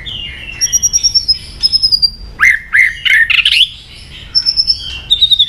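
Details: {'caption': 'White-rumped shama singing to provoke aggression in other shamas. High, thin whistles give way to a burst of loud, rich, rising slurred notes, then high whistled phrases return.'}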